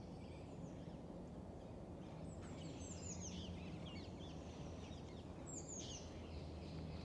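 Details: Rose-ringed parakeets, introduced and now widespread in Île-de-France, heard during a forest walk, give harsh, shrill, downward-sweeping screeches in two short bursts over a steady low rumble of wind and background noise.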